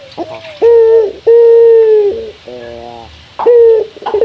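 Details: Local Barbary dove (puter), a male cooing to call a rival: drawn-out, low, level coos with a short lower break, three phrases across four seconds, closing with a brief stuttered coo.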